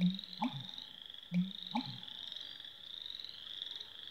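American bittern giving two deep, gulping, booming pump-like calls about a second apart, over a steady high-pitched insect drone.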